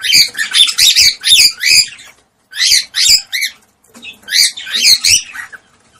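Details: Cockatiel calling to stimulate mating: bursts of loud, shrill, harmonic chirps in quick series, a short pause, then two more clusters of squawky rising-falling notes.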